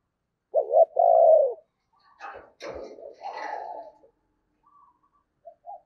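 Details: Lure spotted dove giving one double-and-long coo to call in wild doves, followed by rustling, knocking noise and a few faint soft coos.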